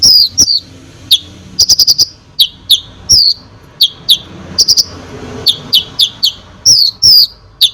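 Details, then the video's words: Konin singing a varied, busy stream of piercing chirps, quick note clusters and falling whistles, almost without pause; the song is used to rile up other birds. A low hum sits in the background. "KONIN GACOR FULL ISIAN BOCOR BUAT BURUNG LAIN CEPAT EMOSI"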